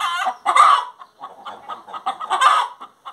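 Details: A hen in song: two loud, raspy drawn-out squawks separated by a patter of soft rapid clucks.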